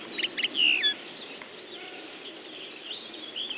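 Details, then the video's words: Linnet song starts with two sharp chirps and a clear downslurred whistle, then fades into soft distant twittering against a constant outdoor background. "The song of the Common Linnet"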